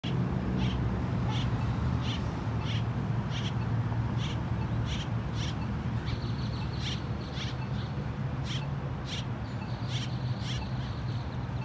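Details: A female Great-tailed Grackle (Quiscalus mexicanus) on North Main Street, Euless, Texas, gives sharp, dry chuck notes about twice a second over a steady low rumble of background noise.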